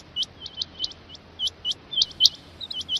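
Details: Brief run of crisp rising chips from a rain quail, several loud paired notes near the end over faint hiss.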